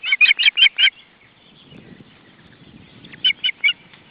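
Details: Ospreys at a nest in Estonia in June 2012, family life: two bursts of loud, sharp whistled chirps, five quick notes then a pause and three more, with faint low rustling between.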